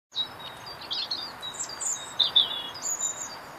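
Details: Robin singing from a tree outside an office on a cold winter's day: thin, high, varied warbling phrases with sweet whistled notes and rapid trills, set against a steady background hiss.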